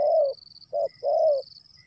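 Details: Spotted dove as rain starts: a long soft coo, a short clipped note, then another long mellow coo, with a thin high insect drone underneath.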